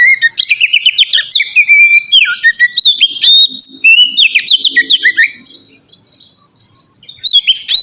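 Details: Oriental magpie-robin singing a clear ngeplong song as a lure for young magpie-robins: dense, fast whistles, trills and sharp chips in rapid succession, easing into a quieter stretch before resuming.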